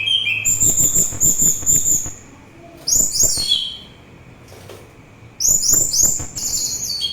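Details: Orange-headed thrush in full song, used as relaxation and as a lure for birds. Dense repeated high whistles and twittering phrases come in two-second bursts, with low clicking taps underneath in the first part.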